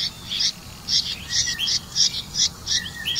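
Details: Red-vented bulbul with crickets for its young: about one high, buzzy chirp per second, each followed by a short lower rising note.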